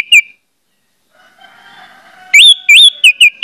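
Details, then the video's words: Orange-headed thrush song used as a lure to prompt other orange-headed thrushes to sing out. A brief slurred whistle opens, then a quiet gap with faint distant sound, then a loud burst of rising, looping whistled notes with high overtones. "pancingan anis merah bikin anis merah lain cepat ngeplong"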